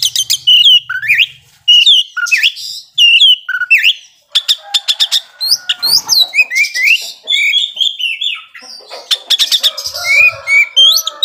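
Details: Oriental magpie-robin singing to rouse rival birds, loud looping whistled phrases with upward and downward sweeps, interrupted by dense rapid chatter and clicking notes.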